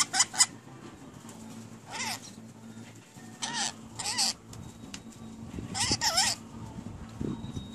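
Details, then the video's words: Rainbow lorikeets kept as new household pets producing mimicked talk: four or five rasping, bending-pitch vocal bursts spaced a second or two apart over quiet low-frequency room noise. "My Rainbow Lorikeets talking like crazy"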